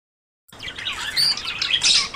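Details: Budgerigars courting and about to breed: after a brief silence, a dense burst of high chirps and warbled twitters from several birds begins, growing louder toward the end.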